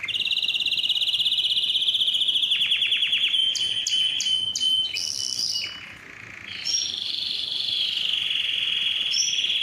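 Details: Canary song recorded to stimulate males to sing and to rouse females for breeding: a long rolling trill, quick clicking notes, then a short pause before bright high whistles and another steady trill.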